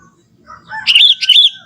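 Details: A young forest Sooty-headed bulbul gives a brief natural song phrase. Two quick, loud, liquid warbles rise and fall, preceded by a soft lower note.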